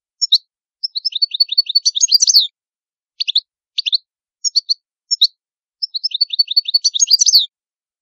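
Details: Italian European goldfinch singing a lively song: rapid runs of buzzy, descending chirps building into dense twittering phrases, broken by brief clipped double notes, with no other sounds.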